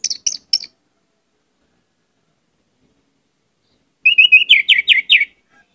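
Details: Orange-headed thrush singing a richly varied song, used as a lure: three high, sharp chips, a long silence, then a rapid phrase of whistled notes ending in descending slurs.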